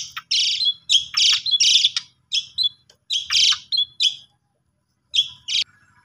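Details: Lure recording of Asian pied starling, meant to provoke a sulking starling into song: loud, harsh, rasping bursts in quick clusters with short whistled tags, a pause, then two more scratchy bursts.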